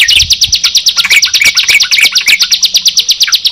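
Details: Sunda pied chat and yellow-vented bulbul together: very quick, even high chirps, nearly three a second, over scattered lower whistled notes and a faint low hum.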